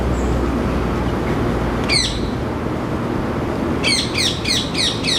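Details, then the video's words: Male rose-ringed parakeet, an introduced species now breeding in Singapore, calling noisily from a Ceylon ironwood tree outside a window: one harsh squawk near two seconds, then five rapid, piercing downslurred squawks in a row, over a steady low traffic rumble. "Rose ringed parakeet - bird call"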